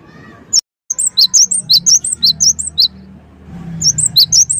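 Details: Javan sparrow singing as a lure meant to make listening birds respond: rapid, high, bright chirped notes repeated in quick bursts, briefly broken by a gap, over a low background hum.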